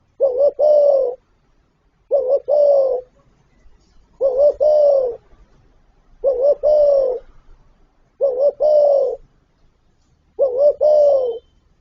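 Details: Spotted dove cooing in its gọi, thúc and gù styles: six regular deep phrases about every two seconds, each a brisk double note running into a sustained mellow coo, otherwise quiet.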